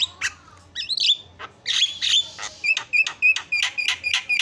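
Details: Javan myna used as a master recording for training caged birds, described as very noisy: harsh chattering notes, a warbled whistle, then rapid squawky chips about three per second. A low hum runs underneath.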